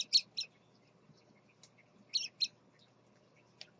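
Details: Scarlet-chested parakeet, a male with his chicks: short high chirps in pairs, two near the start and two more after two seconds, with one faint peep near the end over a quiet background.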